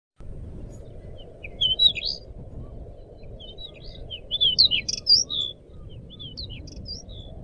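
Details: Crescent-chested babbler singing vigorously, kept as a lure and tutor recording for training songbirds: bursts of sharp, high whistled chirps and slurred notes around 1.7 and 4.5 seconds over a steady low hum.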